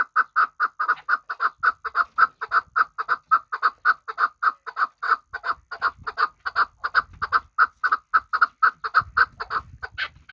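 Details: Kabodiyon chukar partridge, a hunting bird, repeating a steady, rhythmic chuk chuk chuk call, close to forty evenly spaced notes in ten seconds, with faint low rumbling underneath.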